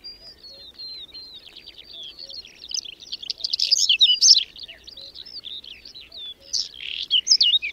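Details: Whinchat singing during a May snowstorm near Domzheritsy in the Berezinsky Biosphere Reserve. Opens with a thin level whistle, then builds into a dense, jumbled run of high chattering, trills and upslurred whistles.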